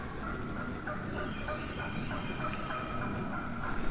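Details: Wild turkey hens in a big flock at dawn in the woods, giving a run of evenly spaced short yelps, roughly three per second, against a low rumbling backdrop.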